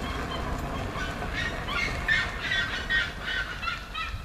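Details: Seriemas, red-legged, calling on a roadside in Conselheiro Lafaiete, Minas Gerais, Brazil (São José district): a series of ringing yelped notes, irregularly repeated, heard over steady traffic-like background noise.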